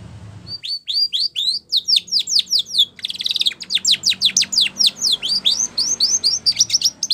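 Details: Spanish Timbrado canary singing training song: a series of clipped falling notes, a short buzzy burst, then long fast trains of sweeping whistles repeated steadily over low background noise.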